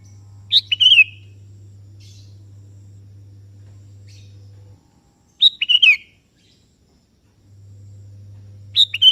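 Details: Sooty-headed bulbul, called kutilang kebo, singing to call a rival that answers: short bubbly phrases of a few quick notes, given about every four to five seconds, with a steady low hum between them.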